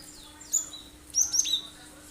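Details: Cinereous tit sharp song, intended to draw other birds into singing: a thin high note followed by a fast falling group of three piercing chirps.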